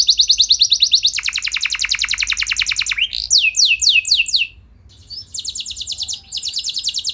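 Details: Rolling canary song intended to make other canaries respond: a fast high trill drops into a lower, rattling trill, then loud slurred sweeps, a short silence, and a return to quick high trilling.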